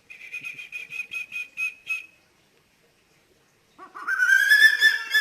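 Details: Eagle heard at night with a strange, eerie voice: a quick series of about eight thin whistled notes, then a pause, then a loud, harsh, rising and falling cry.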